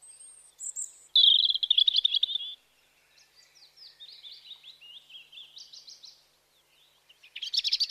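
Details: High chirping birds: a loud, fast buzzy trill, followed by a string of softer descending chirps and a rising rattle of sharp tweets at the end.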